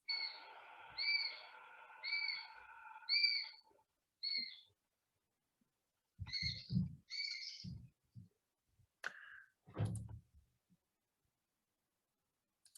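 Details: Young Eurasian sparrowhawk begging call, typical of breeding woodlands in July and August: thin, high, drawn-out whining notes repeated about once a second, with low thumps and handling noise in the second half.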